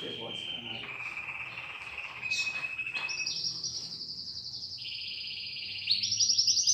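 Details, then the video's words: Domestic canary kept caged at home, being trained to sing: steady whistled tones shifting pitch, then long fast trills of rapidly repeated high notes ending in a louder, faster roll. "COMO TREINAR O SEU CANÁRIO!!! ELE VAI CANTAR LINDO EM POUCOS DIAS!!!"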